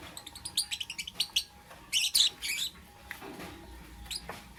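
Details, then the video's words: Morning lovebird chirping: a quick run of about a dozen bright, high ticking chirps, then a louder buzzy burst and a few softer notes trailing off. "Amazing Lovebird - Beautiful Colors - Chirping Sounds"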